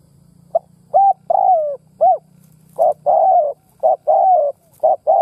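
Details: Captive spotted dove used as a lure bird to provoke others, repeating its four-part coo phrase twice, a brief pip, short coo, long sliding coo and closing coo, each phrase following closely, steady low hum beneath.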